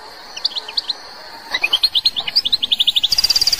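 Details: Algerian goldfinch song: a few spaced chirps, then a lively run of tinkling, varied notes that ends in a rapid, even trill of very high repeated notes, with light background hiss.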